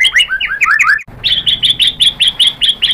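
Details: White-rumped shama song used as a lure for other shamas: a cluster of quick downslurred whistles followed by an evenly spaced series of bright ringing chips, roughly four per second.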